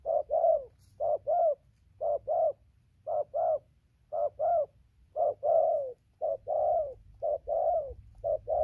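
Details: Spotted dove used as a decoy bird, cooing steadily from far to near; paired low mellow notes, a short hoot then a longer falling coo, repeated about once a second with a faint low hum beneath.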